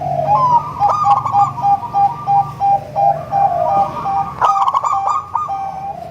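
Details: Zebra dove of local, crossbred and Bangkok strains, sung to lure other zebra doves. It gives a melodious staccato series of short, evenly pitched cooing notes, about three per second, broken by quick rolling trills.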